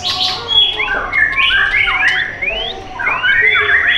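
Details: White-rumped shama singing loud, clear whistled phrases of rising and falling slurred notes in quick succession, with a burst of harsher notes at the start.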